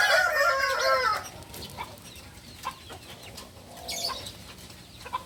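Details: A beginner Balenggek rooster from Solok, West Sumatra, ends a strong harmonic crow in the first second. Faint scattered chirps and soft knocks follow in quiet background.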